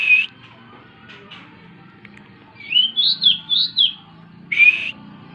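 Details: Night-time song of a plain prinia: short high whistled notes, then a run of four quick looping, warbled phrases, and a final bright rising note, with faint background hiss.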